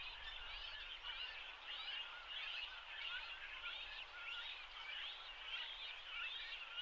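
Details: Large, nearly adult-sized Great Cormorant chicks being fed in a colony shared with grey herons on a riverbank in Shinetsu, Japan, late May, beg with a steady overlapping chorus of high, squeaky chittering, no pauses.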